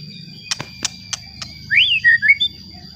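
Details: White-rumped shama song meant to provoke rival shamas: four dry clicks spaced about a third of a second apart, then a short bright whistled phrase that rises, dips and flicks upward, over a constant high tone.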